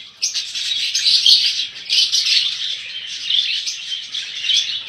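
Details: Budgerigars offered for sale fill the space with dense, overlapping high chirping and warbled twitters that rise and fall without a break.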